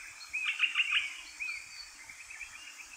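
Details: Eastern Rosellas, three parakeets eating alder cone seeds in a tree at Kapiti, New Zealand, give a brief loud cluster of bright chirps, then softer quick twittering notes fading against steady background hiss.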